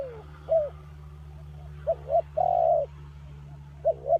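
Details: Spotted dove used as a decoy lure for trapping, giving short, rounded coos: a falling note, then paired and drawn-out mellow notes in a series, over a steady low hum.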